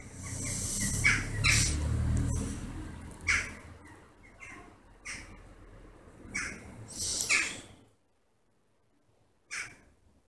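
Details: Western jackdaws gathering in large numbers at a favourite evening roost in August, circling noisily: harsh, abrupt "tchak" calls at irregular intervals, some loud and close, with rustling noise early on and a quieter gap near the end.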